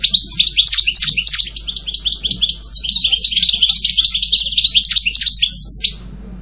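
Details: Continuous goldfinch song lasting about six seconds: dense, rapid tinkling twitters and short buzzy trills running without break, ending with a downward slurred note.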